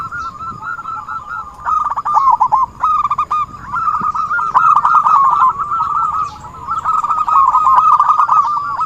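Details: Zebra dove (perkutut) calling for use as a lure when trapping: rapid staccato, rolling coo trills at mid pitch in long bursts, with short pauses near the start and near 6 seconds, and faint chirps from other birds above.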